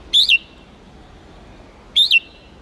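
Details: Red-whiskered bulbul of the Huế type, Vietnam, in contest-song training to rouse wild-caught birds: two brief, bright double-noted whistles about two seconds apart, each sharply rising then dropping.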